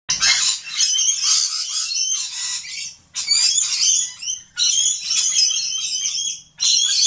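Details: Fifty or more excited Rainbow lorikeets crowd a rebuilt feeder, giving harsh, high, rasping screeches and chatter in dense bursts of a second or two, broken by brief pauses, with many calling at once.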